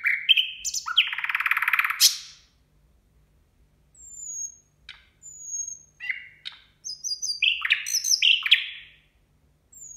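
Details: New Year nightingale song: a loud harsh buzzing burst opens, followed after silence by thin drawn-out whistles and sharp down-slurred chirps in separate bursts.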